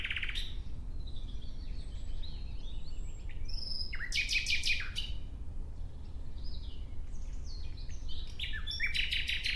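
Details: A nightingale sings varied phrases: a sharp burst at the start, assorted drawn-out whistles, a loud rattling series of rapid strokes, more whistled notes, and another fast clicking run at the end.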